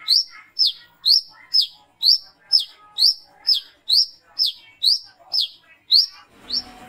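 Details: Brown-throated sunbird calling at night, played as a lure: clean high sharp chirps, each a short slurred note, repeated roughly every half second, with soft lower twitters between and a noisy end.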